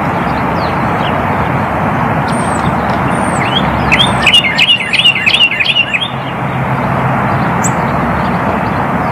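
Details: Northern cardinal calling: a quick run of short, sharp, rising chirps bunched mid-clip, with a few thin high notes above, over a constant roar of traffic.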